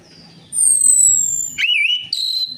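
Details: Orange-headed thrush lure song for prompting birds to sing: a thin, drawn-out falling whistle leads straight into a short, wavering warbled phrase and a higher sustained note.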